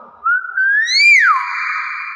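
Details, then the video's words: A Nias hill myna gives one loud, clear whistle that slides upward, then drops sharply into a held, slightly buzzy tone lasting about a second. "BEO NIAS SUARA ASLI"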